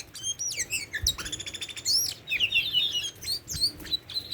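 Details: Energetic song from a tame Oriental magpie-robin, mixing rapid scratchy trills, swooping whistles and sharp chirps in continuous phrases.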